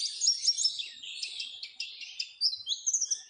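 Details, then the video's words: High, busy warbling of an Oriental white-eye, used to prompt caged birds to sing: tumbling chirps and short slurred whistles running together, ending in a few sharp rising notes. "Pancingan supaya pleci cepat gacor"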